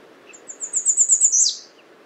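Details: A quiet American redstart: high, thin notes repeated rapidly and growing louder, finishing in a strong downward slur. The background is faintly hissy.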